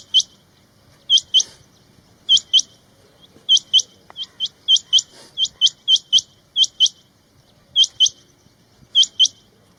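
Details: Male rain quails (Coturnix coromandelica) calling: sharp, high whistled notes given mostly in quick pairs, each pair repeated about every second, with a faint low background rumble.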